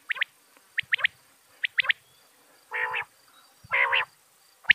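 Common quail giving sharp, high paired notes about once a second, then two longer, harsher, rasping calls lower in pitch.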